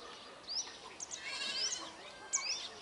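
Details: Brahminy starling flock calling: several short, sharp whistled notes rising steeply at high pitch, scattered over a faint background of harsher chatter, with soft hiss throughout.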